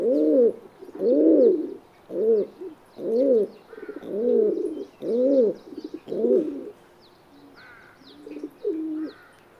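Feral pigeon giving deep, throaty rolling coos, about one per second, each swelling and fading; faint higher chirps of small birds in the background.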